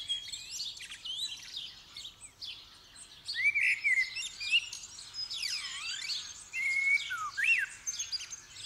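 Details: Blackbird singing amid a dense dawn chorus, December 2019: scattered liquid whistled phrases and a long downward-and-up swooping note, nearly buried in a continuous wash of high twittering birds and faint low hum.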